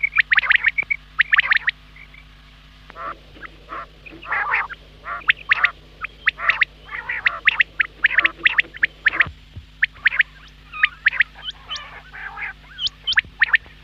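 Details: Quail sounds described as for the morning: a dense, overlapping stream of harsh rasps and sharp clipped notes with scarcely a pause, over a constant low hum.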